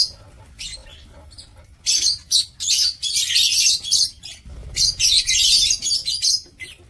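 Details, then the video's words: Lovebirds kept in a breeding aviary in Indonesia, recorded on 2 October 2024, giving bursts of shrill, high-pitched chattering and squeaky chirps that come in clusters of rapid notes with short pauses between them. "Aviary Lovebird"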